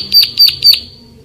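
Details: Bar-winged prinia giving three loud, sharp, high-pitched chirps in quick succession, then falling silent.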